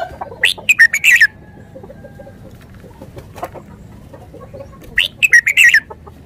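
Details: Red-whiskered bulbul, a cage bird from Thailand, gives two quick bursts of bright, chattering whistled notes rising and falling around the high middle range, separated by about four seconds of quiet with soft background hiss.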